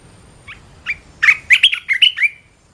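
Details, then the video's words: Red-whiskered bulbul song: two soft, spaced opening notes, then a lively run of six or seven loud, chirpy, up-and-down warbled notes in quick succession. "เสียงนกกรงตาแดงEp.265 I เสียงต่อนกกรงตาแดง"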